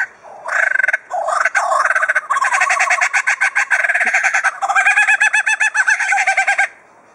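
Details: Adelaide Zoo's captive superb lyrebird mimicking other sounds with a long fast mechanical-sounding rattle, like a drill or saw, broken by brief gaps and continuing for several seconds.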